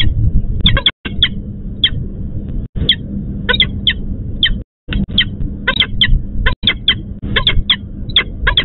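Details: At the EC4 plant nest in Łódź, Poland, a female peregrine falcon calls for her mate, who did not come to relieve her. Harsh clipped notes come in bursts of two or three, separated by brief gaps, over a steady low hum.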